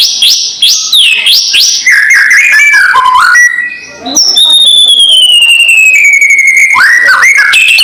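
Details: White-rumped shama, a loud provoking song meant to anger rival birds: rapid varied whistles and chattering phrases, then a long pure whistle slowly falling in pitch, ending in sharp upslurs.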